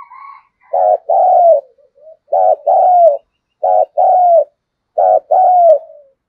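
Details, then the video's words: Spotted dove used as a lure for wild doves: four two-part phrases, a throbbing short coo and a longer drawn-out coo that dips at the end, repeated at a steady pace, with faint soft notes between them. "Chim Cu Mồi Thúc Gù + Gáy Gọi"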